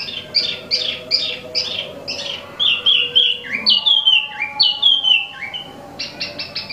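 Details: Caged imported Wambi mini (Tieu Mi) in full song: rapid repeated chirped notes, then a series of bright whistled slurs stepping downward, closing with quick high clicks. A low steady hum runs through.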